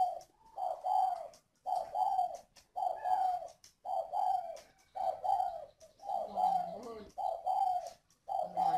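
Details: Captive spotted dove (Spilopelia chinensis), a seasoned decoy bird kept in northern Vietnam, giving low, soft cooing phrases about a second long, repeated almost once a second; a man talks briefly.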